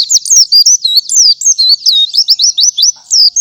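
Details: Morning white-eye song meant to teach other white-eyes: fast, high chirping notes, each a quick up-and-down sweep, strung tightly together in an energetic run.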